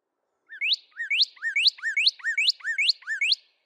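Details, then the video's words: A Northern Cardinal sings its song, a quick series of seven clear, slurred whistles, each swooping upward, about two and a half per second, with a quiet background. "the first vocalization that I played for you is the Northern Cardinals song."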